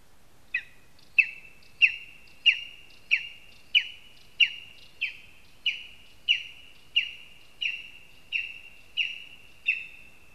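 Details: Lesser spotted eagle at its nest in a spruce in Zemgale, Latvia, giving a series of sharp, high yelping notes, each with a short downward tail, repeated steadily about every 0.6 seconds in a quiet setting.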